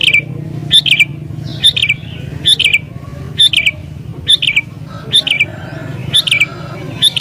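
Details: Agitated sooty-headed bulbul, song said to set other bulbuls singing and draw in wild ones: short sharp chirps with falling ends, spaced under a second apart, above a low steady hum.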